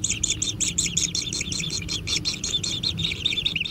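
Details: Kingfisher chicks being fed at a natural nest, begging growing ever more intense: a fast, unbroken train of harsh, buzzy high chirps, several each second, with a low rumble of background noise.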